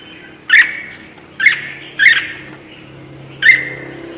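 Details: Red-whiskered bulbul trapping-lure recording: four harsh, slightly lower chirps, each a quick buzzy note with a short fading tail, spaced roughly a second apart over a steady low hum.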